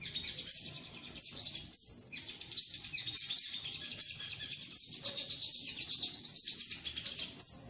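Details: Sunbird (sogok ontong) trapping lure call: continuous high, rapid twittering with repeated sharp downslurred notes breaking through the chatter.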